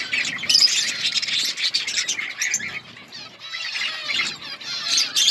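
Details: Many budgerigars in an outdoor colony keep up a continuous high warbling chatter of chirps, trills and squeaky notes, with a few brief dips in volume.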